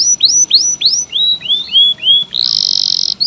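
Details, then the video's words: Varied canary song from local, AF and AFS types: a row of rising, upturned whistled notes that step slowly lower in pitch, then a dense fast buzzing trill. "SUARA VARIASI BURUNG KENARI GACOR JENIS LOKAL, AF, AFS"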